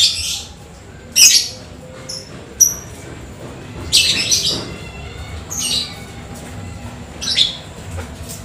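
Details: Lovebird singing after rain in the chattering 'ngetik' style leading to a long 'ekek' phrase: bursts of harsh, high, buzzy chirps about every one to two seconds, with brief thin whistled notes between and quiet low background rumble.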